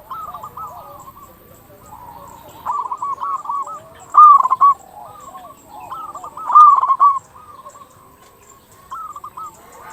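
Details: Local zebra dove cooing, meant to prompt other zebra doves to call: soft rolling phrases build into two loud stuttering coo bursts about two seconds apart, with fainter doves continuing behind.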